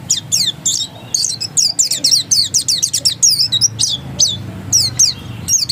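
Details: Oriental white-eye singing in the vigorous 'ngotot' style: rapid high, thin downslurred whistled notes in quick bursts, repeated steadily over a low background hum.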